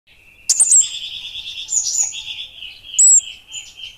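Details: Orange-headed thrush of the 'Bunga Api Kecil' type, singing in a lively, chatty way: sharp high whistled notes, then a long buzzy warbled phrase that dips and rises, and a second bright high whistle near the end.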